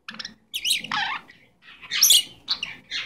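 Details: Goldie's lorikeet kept as a pet giving short, scratchy chirps and squawks in three bursts with brief pauses between.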